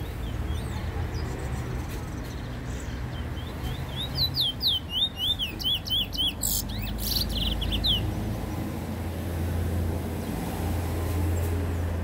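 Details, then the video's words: Black bullfinch singing, recorded in 2019: a fast run of high, thin downward-sweeping whistled notes lasting about four seconds mid-clip, with a low steady hum and background rumble throughout. "Black bullfinch singing"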